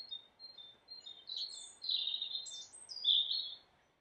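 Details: Common chiffchaff singing in a Somerset garden: high, thin notes alternating between two pitches at an uneven two or three per second, its "chiff-chaff" name-like song, over faint hiss.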